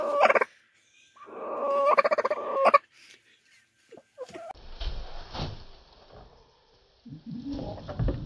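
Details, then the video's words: Domestic chicken imitating a turkey: a short tonal note, then a longer wavering call that breaks into rapid pulses at the end, followed by knocks and rustling. "A chicken makes a turkey sound"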